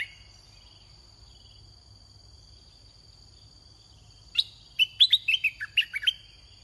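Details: Caged red-whiskered bulbul singing as a lure for wild birds. After a quiet stretch with a steady insect whine, a brisk phrase of about ten sharp, sweet whistled notes bursts out.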